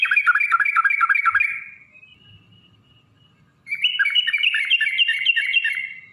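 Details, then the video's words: Yellow-vented bulbul giving a long rapid 'ropel panjang' song meant as a lure to make other bulbuls sing and fight: fast bubbly, chattering warbled notes repeated in quick runs, a brief near-silent gap, then another rapid burst. "trucukan gacor TARUNG ROPEL PANJANG pancingan trucukan agar bunyi"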